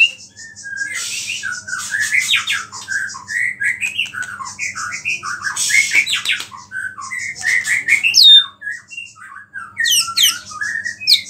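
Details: White-rumped shama in full song, its song filled with small-bird imitations, meant to provoke other shamas: varied whistled and chattering phrases, rising and falling notes tumbling rapidly over eleven seconds, a few harsh bursts, with faint low hum beneath.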